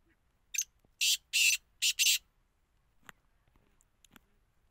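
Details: Black francolin calling: a phrase of five harsh, rasping, grating notes, the first short, then two longer bursts and a quick closing pair, followed by near silence with a few faint clicks.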